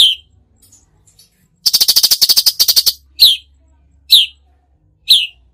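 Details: Cucak cungkok in the tembakan singing style: a fast, rattling burst of rapid harsh notes, then three short, sharp descending whistles spaced about a second apart.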